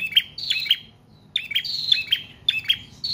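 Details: Prinia (prenjak trotol/paot) in extended song, meant as a lure and training model for cage birds; quick clusters of bright, high notes with a thin whistled tail, grouped in three bursts after a short silence.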